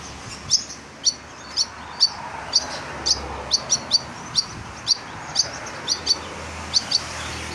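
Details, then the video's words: Vigorous song of a kolibri ninja, a sunbird, used to train caged birds: crisp high ticking chips repeated about twice a second in a loose, uneven rhythm over background hiss. "Kolibri Ninja Gacor Masteran Jos"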